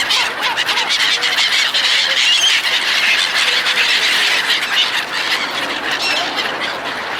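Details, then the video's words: A crowd of seagulls at a feeding gives shrill, overlapping squeals and squawks in an unbroken wash of sound, with no single bird standing out. "Martı beslemek (Seagull feeding)"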